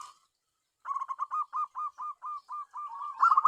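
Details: Zebra dove kept for luring wild doves; after a brief pause, a regular run of about a dozen clear hooked coos, quickening into a loud rolling burst at the end.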